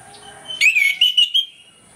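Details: Orange-headed thrush in full morning song, meant to provoke quick aggression: one brief phrase of four or five clear, slurred whistles, the first rising sharply, then slightly wavering notes.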